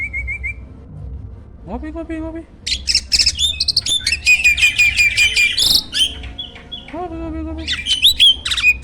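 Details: Champion jalak starling singing as a master for contest birds: a brief wavy whistle, low nasal calls, then long loud runs of harsh scratchy notes, squeaks and high whistles.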